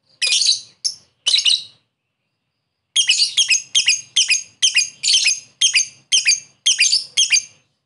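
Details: Lovebird ngekek lure calls aimed at a rival: three shrill chirps, a pause, then a steady series of harsh, high chirps about every half second.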